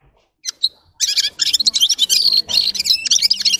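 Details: After a couple of isolated high chips, a red-fronted serin launches into a rapid jingling song of crowded, buzzy high notes that continues to the end.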